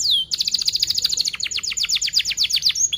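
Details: Young canaries learn from this training lure song: a brief high rising note, then a tight run of quick downslurred chirps, steady and rapid, about ten per second.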